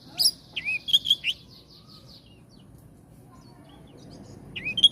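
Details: Oriental magpie-robin delivers a short phrase of sharp chirps and a slurred whistle with a faint trailing buzz, then a pause before a single bright note.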